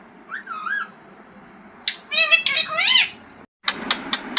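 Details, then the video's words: Green parrot in a talking-parrot recording: a soft wavering whistle early, a pause, then a loud burst of raspy squawks and rising notes, a brief gap, and a few clipped chirps. "Talking parrot# green parrots# bolane wala tota# bird voice"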